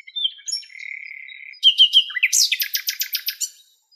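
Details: Female Western Black-eared Wheatear in Greece, carrying nest material in her beak, gives thin, high whistled notes, then a quick scratchy run of about a dozen buzzy, very high chirps lasting two seconds.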